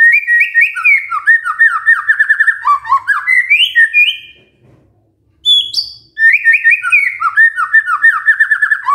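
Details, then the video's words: White-rumped shama song used to coax a quiet bird into singing: dense, fast series of rising whistled slurs running for seconds, a short break with a sharp high note, then the rapid whistling resumes. "PANCINGAN MURAI BATU GACOR"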